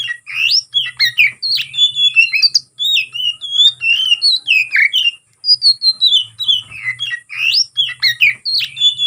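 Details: Oriental magpie-robin (kacer) in fighting mood, song to provoke rivals: long varied run of whistles, chatters and imitation-like notes with brief pauses between phrases.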